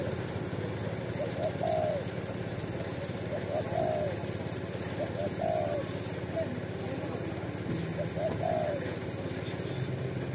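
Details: Wild Indonesian street spotted dove near a watering post, the target of luring, cooing 'kuk satu' phrases about every two seconds. Each is a quick double note and a falling coo, heard against continuous motor noise.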